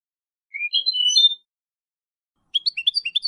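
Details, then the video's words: Clean Malaga-style European goldfinch song for young goldfinches and hybrids to learn: a rising buzzy whistle with sustained tinkling tones, then after a pause a quick series of bright, bouncing twittered notes. "Copia malaga élégante para memorización niños de pájaros ( Jilguero y Mixto) CD Goldfinch 1h singing"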